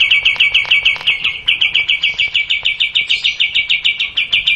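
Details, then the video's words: Steady, rapid chipping series from a kapas tembak bulbul, a long unbroken run of bright repeated notes at roughly three per second throughout. "Kapas tembak panjang"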